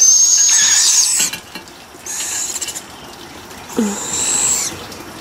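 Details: Barred owl owlets outdoors while being fed: one loud raspy hissing screech, followed by softer, fainter hisses and a short human utterance.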